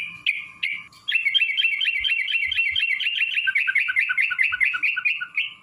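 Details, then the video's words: Sooty-headed bulbul in a long rapid trill meant to goad other bulbuls into answering: a few clipped notes, then a fast bubbling warble lasting about four seconds, with a faint constant hum. "trucukan gacor TARUNG ROPEL PANJANG pancingan trucukan agar bunyi"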